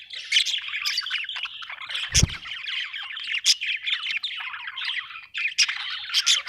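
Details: Happy budgie chirping from Australia, a lively stream of chattering, rasping warbles and piping squeaks, interrupted by a single dull low thump about two seconds in.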